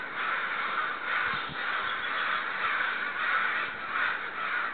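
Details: Upset neighborhood crows caw loudly and without pause. Overlapping harsh caws swell and fade in waves about every second, with faint knocks underneath.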